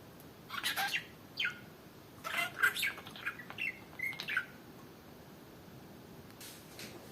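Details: A pet budgerigar playing on its swing gives a run of quick, scratchy chirps and warbled notes, then falls quiet.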